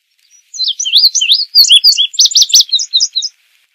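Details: Indigo bunting song lasting nearly three seconds: rising, slurred high notes, then a run of sharp peaked notes repeated quickly, ending in paired buzzy chirps; clean with no background sounds.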